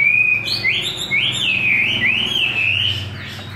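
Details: Chinese hwamei (Garrulax canorus), a wild-voiced bird fed homemade feed, sings a loud, clear whistled phrase that slides up and down in smooth rolling loops, with a faint low hum in the background.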